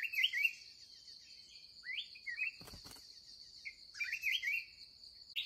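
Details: Wild red-whiskered bulbul, described as fiery, met during the last trapping session of the day; short bright warbled phrases rising and falling, with a brief rustling burst midway and a steady high insect whine throughout.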